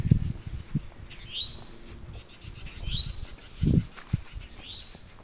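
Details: Towhee mating call with other birds joining in: three upswept whistled notes roughly every one and a half seconds over loud low rumbling and bumps.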